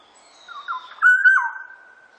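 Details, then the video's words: Black-naped oriole, 2020 national archive: short mellow whistled phrase, soft falling notes leading into a louder, slurred rising whistle that levels into a sustained tone. "꾀꼬리, 여러번 듣기"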